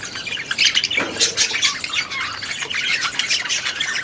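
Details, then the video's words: A group of budgerigars kept in an aviary produce a continuous stream of rapid, high, twittering chirps and occasional short squawks, layered so thickly that individual notes blur together. "6 Hours of Budgies in their Aviary"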